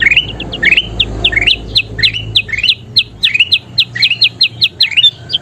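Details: Kutilang emas bulbul in full song for tutoring cage birds: a quick run of rising chirps and bright high notes, accelerating slightly toward the end, over a low background rumble.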